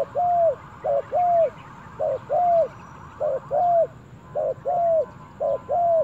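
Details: A spotted dove in forest surroundings gives repeated cooing phrases, each a brief double note leading into a drawn-out, slightly descending coo, with a steady buzzy hum in the background.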